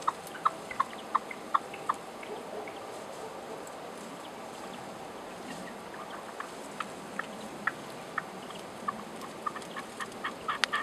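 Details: Red-legged partridge (Alectoris rufa) song in the hills above Genoa: short, hoarse chuck notes in quick rhythmic bursts at the start and again near the end, over a steady windy hiss.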